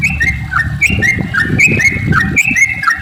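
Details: Sooty-headed bulbul giving rapid 'ropel' lure song meant to start other bulbuls singing: short rising whistled phrases in quick succession over a steady low rumbling noise.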